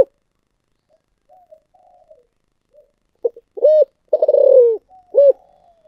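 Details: Spotted dove cooing in the Vietnamese 'giọng thổ sấm' style: soft faint murmurs at first, then a short hollow coo, a long rolling, burred coo that slides lower, and a final clipped coo, against a silent background.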